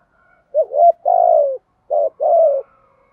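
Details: Spotted dove giving its challenging fight call: a hooked rising note, then a long level coo, a brief pause, a short note and another long mellow coo that tails off.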